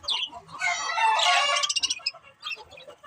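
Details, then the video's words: Budgies in a fast, rolling warble that swells into a loud, buzzy, harmonic burst, then breaks into quick clipped chirps and quieter twitters. "Cute Budgies Chirping Sounds"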